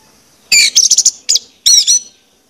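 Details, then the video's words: Orange-headed thrush song played as a lure to stimulate other birds to sing: short bursts of high, sweet, slurred whistled phrases with rapid twittering notes, separated by brief silent gaps. "pancingan anis merah ini bakalan bikin gacor jika di putarkan"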